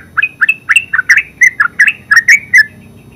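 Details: Yellow-vented bulbul (terucuk) singing in the rapid ngeropel style: a quick run of about ten bubbly, chirping notes near mid pitch, some rising and some falling, with a faint low hum behind.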